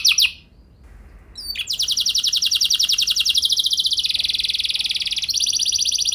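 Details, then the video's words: Canary singing, recorded to train other canaries: a brief trill, a short pause, then a long, very fast rattling roll that shifts pitch several times. "Pancingan Burung Kenari Ampuh Bikin Kenari Lain Auto Gacor Ngeroll Panjang | Canary Singing"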